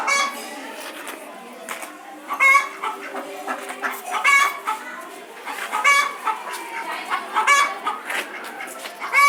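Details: Cock and hen chickens in Saharanpur giving a run of coarse, nasal squawks and clucks, about thirty-seven bursts a minute at uneven spacing, louder peaks at intervals, over a low steady background hum.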